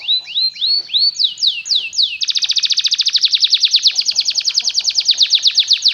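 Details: A canary sings as a model for young canaries learning song: a few slow, looping upslurred whistles, then an abrupt switch to a long, very fast, even trill of sharp repeated notes.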